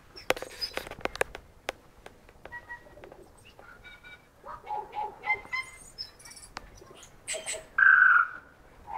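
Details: Tui singing a varied phrase: dry clicks and taps, short paired whistles, a run of soft gurgling notes and high tinkles, ending in a loud sustained whistled note.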